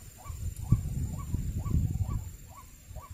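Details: White-breasted waterhen heard during trapping, its short hooked calls coming about twice a second, partly masked by strong low wind-like rumble and a sharp knock.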